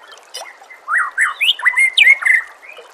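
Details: White-rumped shama song for training caged birds: short slurred and rising whistled notes, bunched into a lively phrase of about two seconds, over a soft background hiss.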